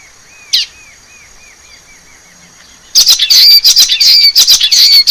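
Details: Wild common waxbill in forest, opening with a sharp click and a faint run of soft repeated arched notes, then bursting into loud, scratchy, buzzy high chatter for two seconds.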